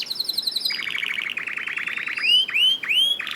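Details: Canary song used to coax caged canaries into singing: a harsh rapid rattling series followed by three rising, curling whistles with a faint background hiss.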